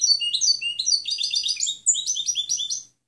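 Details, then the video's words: Clean song of a European goldfinch, played to teach other birds: an unbroken three-second stream of quick, high, tinkling notes and slurred twitters with a brief buzzy stretch in the middle. "Canto del Jilguero Limpio Chant chardonneret"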